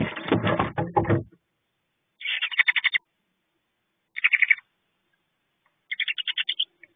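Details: Two owlets in a nest box, briefly left by the female, chitter loudly to each other. Rustling comes first, then three bursts of rapid, raspy, pulsed notes with quiet gaps between them.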